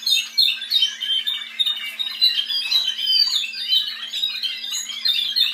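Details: Spanish Timbrado canaries, a team bred from offspring of a 2012 Andalusian champion, pour out unbroken, high, metallic trills and chattering rolls overlapping from several birds at once, over a faint steady hum.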